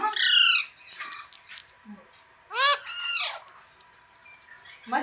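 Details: Pet parrot calling in harsh, harmonic squawks that bend up and down: a long screech, softer mutters, then two loud rasping calls in quick succession and a final rising squawk. A constant high-pitched whine sits in the background.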